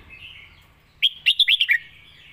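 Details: Red-whiskered bulbul performing the Thai 'lak wai' song style, a master model song: a soft thin warble, then a loud phrase of five lively, slurred whistled notes ending on a lower dropping note.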